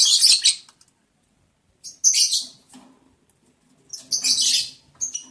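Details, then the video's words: Lovebirds during mating in the breeding season, sharp piercing screechy chirps in bursts about two seconds apart, with short pauses between. "sound love birds Mating"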